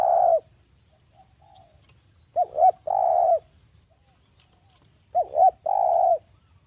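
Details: Spotted dove of Java giving sharp, close-set coos meant to draw other doves into calling; each phrase is a quick double coo and then one long, even, falling coo, heard twice after an opening note.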